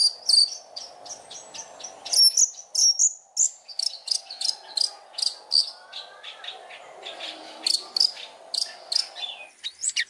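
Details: Long-tailed shrike tutor song used to train other birds. Rapid high chips and short whistled notes pour out in quick succession over a steady low insect-like buzz in the background.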